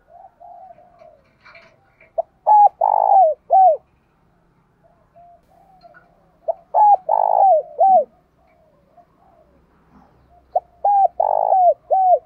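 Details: Spotted dove (cu gáy) giving rousing 'thúc' cooing in the 'thổ sấm' voice style, used to lure wild doves: soft low lead-in coos, then a run of four or five rounded, mellow coos, repeated three times.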